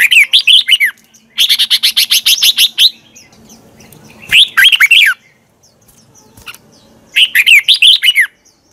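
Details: Red-whiskered bulbul morning song in the twisted 'giọng xoắn' style for stimulating rival bulbuls: four loud phrases of quick, bubbling, down-slurred notes, one a long even run of about a dozen rapid notes.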